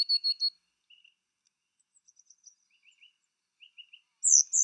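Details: Coal tits at a garden nest box while rearing chicks, late May: a quick run of high, thin chips, then sparse softer twittering notes, ending in a loud, sharp, high burst.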